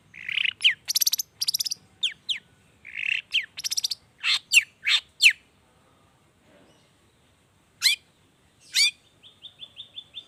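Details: Long-tailed shrike singing a lure song in the energetic 'toet toet' variation, meant to prompt other shrikes to sing: buzzy harsh bursts and sharp descending notes, a pause, then two downward sweeps and a rapid run of short repeated notes.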